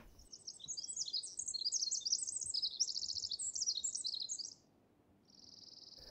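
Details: Pacific Wren singing in dense, shady spring forest in the Coast Range foothills at Peavy Arboretum and McDonald Forest: a long, rapid, high twittering run of tumbling notes lasting about four and a half seconds, then a faint steady buzz.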